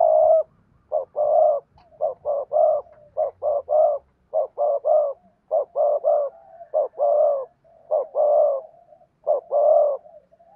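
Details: Spotted dove used as a decoy, cooing to lure wild doves: low mellow hooting coos in quick short groups of two or three notes, repeated steadily with brief gaps, background otherwise quiet.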